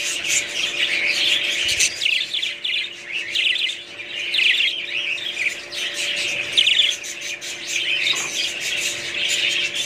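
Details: Budgerigar chatter fills the background: overlapping squeaky chirps, warbles and brief squawks rise and fall in bursts, with a constant faint hum.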